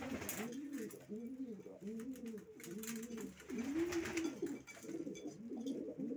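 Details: Racing pigeons cooing, a run of rounded low coos repeated roughly every half second, several birds overlapping, with faint taps and rustling.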